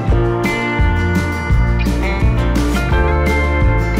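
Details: Strummed acoustic guitar music with steady plucked chords and a bright melodic line, recorded during a birdwatching trip to a plateau in Turkey; no animal voices are heard.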